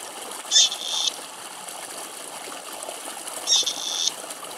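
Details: Grey partridges, a large flock of at least twenty crossing a farm track in Greece, heard from about seventy metres away: two harsh, rasping high calls about three seconds apart over a steady hiss like running water.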